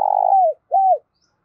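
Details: Spotted dove calling coo, end of a phrase: a long buzzy vibrating coo gliding down, then one smooth arched coo; otherwise silent.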